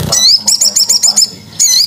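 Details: Lure call of a crested jay, meant to draw in other birds: a high rising whistle, a rapid series of seven ringing notes, then another upward-sweeping whistle.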